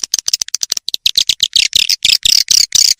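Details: Swiftlet-farming lure sound for edible-nest swiftlets, meant to draw birds into nesting houses: a quick series of clicks gives way to longer, harsh, high chattering chirps in rhythmic pulses.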